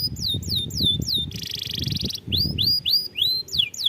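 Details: Canary song used as a lure so young canaries start singing quickly: series of quick falling whistled notes, a dense buzzy rattling burst in the middle, then more downward-sweeping whistles; low murmuring noise underneath.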